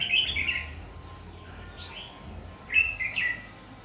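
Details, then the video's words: ['Fierce-voiced Má lỡ red-whiskered bulbul used in decoy trapping, 22 August 2019; a bright warbled phrase opens, then two more quick slurred whistles near the end, with a low hum and faint background noise.'] "Bẫy chào mào Má lỡ giọng cực gắt"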